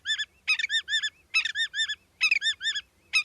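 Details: Willet; call; announcing an observer's presence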